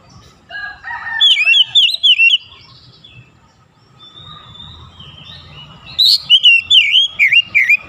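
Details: Oriental magpie-robin (kacer) in morning sunlight: a soft lower chatter leads into bright looping whistled notes, then a later run of six quick dipping whistles with high accents.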